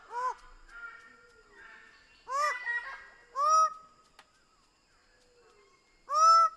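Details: Greater bird-of-paradise giving scattered honking, nasal notes, some doubled, at moderate volume with faint background sounds between calls.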